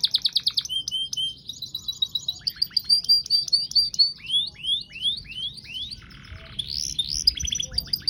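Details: Canary in long continuous song: fast staccato trills, a long series of falling-rising whistled slurs repeated about twice a second, a brief rough buzzy passage, then sweeping whistles, all bright and high-pitched.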